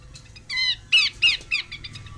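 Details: Female Horsfield's babbler giving a short run of harsh, squawky chattering notes, four or five rasping bursts spaced about a third of a second apart, with faint low background rumble.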